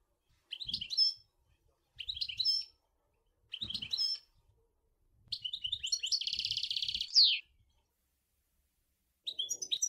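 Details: Singing European goldfinch, Sour El Ghozlane: three short twittering phrases about 1.5 seconds apart, then a longer run ending in a rasping buzzy trill and a falling note, with faint low knocks beneath.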